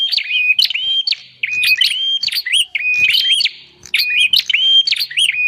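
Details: Bar-winged prinia calling in a lure recording for attracting wild prinias: sharp chirps and short level whistles in repeated groups with brief quiet gaps, loud and clear.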